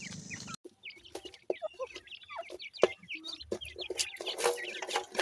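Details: Young grey francolins from Punjab chirp densely, with rapid overlapping high peeps, some downslurred, filling the whole stretch with few pauses.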